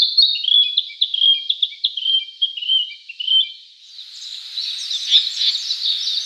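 A Narcissus Flycatcher sings a quick run of clear, varied whistled phrases, then a busier, scratchier twittering passage over the last couple of seconds.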